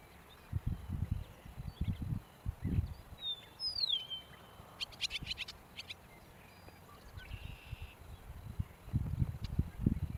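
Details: Eastern Meadowlark (Sturnella magna) gives a clear, down-slurred whistle, then a quick burst of dry, buzzy chatter notes, over repeated low wind rumbles.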